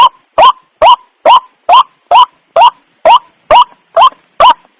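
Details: White-breasted waterhen, known locally as wak wak, giving loud, harsh nasal notes that each rise sharply, repeated steadily about twice a second, eleven in a row, with no other sounds.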